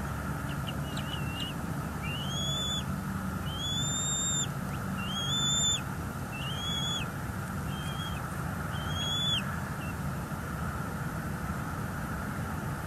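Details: Bald eaglets at a Florida nest during a feeding by their parent: a run of about eight high, thin whistled notes, some rising then bending down, in quick irregular succession over a constant low wind or traffic rumble.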